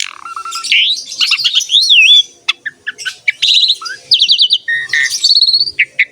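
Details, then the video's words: Asian pied starling in vigorous song used as training material for young or quiet songbirds: varied whistles, sliding notes and rapid chattering phrases, with a low steady tone near the start. "MASTERAN BURUNG JALAK SUREN SUPER GACOR PALING DICARI"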